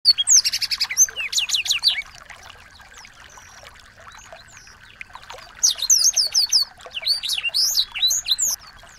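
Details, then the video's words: Small birds singing as tutor material for a white-rumped shama: bursts of high, rapid whistled sweeps and chirps, a quieter gap in the middle, then another dense burst, with a faint steady hum underneath. "masteran burung kecil agar murai batu gacor"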